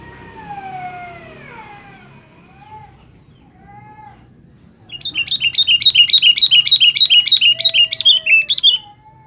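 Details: Sooty-headed bulbul calling to females: after a few slow falling whistles in the background, a rapid, regular series of about fifteen bright chattering notes runs for nearly four seconds.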